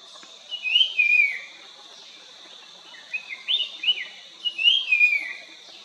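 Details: Puff-throated babbler singing in Nandi Hills, Karnataka, India, on 1 February 2022; short sweet whistled phrases with falling slurred notes come in two bursts, separated by a pause, over a steady high insect hum.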